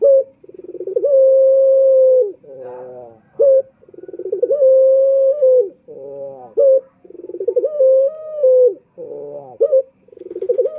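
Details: Luring call of a male Barbary dove (puter): repeated phrases of rapid throbbing notes building into drawn-out level coos, each closed by a rolling, descending flourish, cycling about every two and a half seconds.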